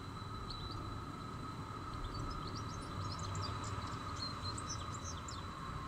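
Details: A flock of European goldfinches gathered in a tree, visiting for several days, on 11 November 2020, keeps up a rapid, high tinkling chatter of many overlapping chirps over heavy traffic rumble and a steady mechanical hum.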